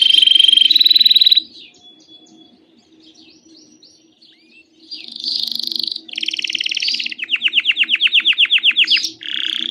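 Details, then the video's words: Canary song meant to get other canaries singing: a loud high trill, a soft pause of thin whistles, then buzzy rolls and a fast run of rapid falling notes, with faint low murmuring throughout. "Impossível seu canário não cantar ao ouvir esse canto/It's impossible for your canary not to sing."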